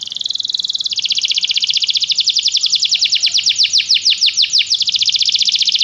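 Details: Canary song used for training other canaries to sing: a fast, steady high trill of rapid repeated notes, then a run of slower, sweeping downward-curved notes that speed up again toward the end.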